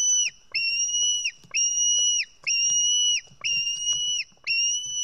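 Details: White-tailed eagle chick at an Estonian nest, 4 July 2018, about 1:10 pm, screaming for food as a parent brings fish: high, thin, drawn-out whistled squeals, about one per second with short breaks.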